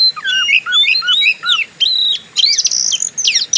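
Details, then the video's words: Oriental magpie-robin in fighter-style song meant to provoke other birds: clear looping whistles dip and rise in repeated curved notes, then turn into bright, buzzy, rattling phrases. "Pancingan burung Kacer; gaya petarung"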